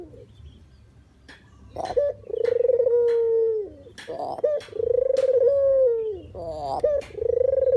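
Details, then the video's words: Spotted dove call recorded for use as trapping bait: drawn-out, smooth coos rising slightly and then falling away, separated by brief rough, quavering notes, with faint low background hum. "suara asli burung puter/deruk buat isian,pikat dan pancingan"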